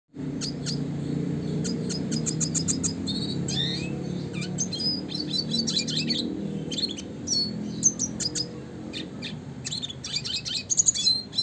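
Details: Classic red siskin in lively song, used as a master recording for training contest songbirds: rapid high twittering with sharp repeated chirps and buzzy trills, pausing briefly, over a steady low hum.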